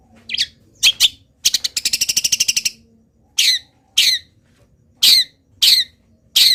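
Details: Local long-tailed shrike, still singing through the moult, mixes borrowed phrases: quick double chirps, a dry rapid rattle lasting over a second, then loud harsh buzzy notes repeated about every half second.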